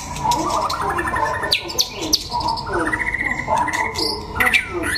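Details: Singing-contest white-rumped shama from Đắk Lắk, Vietnam, giving rich rising whistled phrases with sharp chirps and a sliding high note near the end, over background voices.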